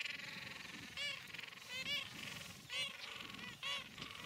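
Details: Gentoo penguins calling in a colony on Carcass Island, Falkland Islands, on 21 January 2019; loud nasal braying bursts with rich harmonics come roughly every second, four in a row, over soft background wind.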